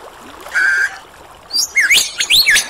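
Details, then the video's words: A superb lyrebird, known for mimicry, gives a steady flat whistle, then a pause and a cluster of high, looping, rapidly sliding whistled notes. "Lyrebird Song"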